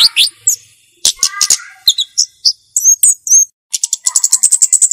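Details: Pygmy cupwing singing clearly and persistently: high, sharp chirps and short whistled notes in varied bursts, some downslurred, ending with a fast run of rapid ticking notes.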